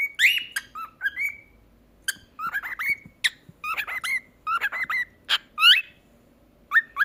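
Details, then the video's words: Cockatiel being taught to talk and sing: a busy run of short whistled notes and squeaky chirps, some rising and some falling, in quick bursts with brief pauses, over a quiet indoor background. "تعليم طائر الكوكتيل الكلام والغناء"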